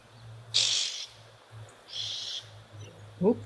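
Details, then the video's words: Oxpeckers giving an alarm call at an African waterhole, possibly because an antelope or large mammal is nearby: two harsh, hissing rasps about a second apart, with a steady low hum beneath and a man speaking briefly at the end. "Oh, that is the alarm call of some oxpeckers. Maybe there is an antelope or a big mammal species close by."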